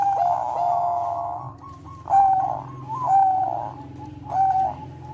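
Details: Melodious cooing of a Bangkok-type zebra dove, played to bring other doves into breeding condition; a long buzzy coo opens, followed by three separate swelling coos spaced about a second apart, with steady low hum throughout.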